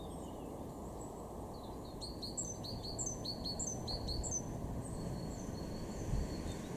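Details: A great tit in a garden in Weener, East Frisia, northwest Germany, in March, gives a quick run of bright, ringing two-part notes, about four per second, over a steady low rumble of wind and distant traffic.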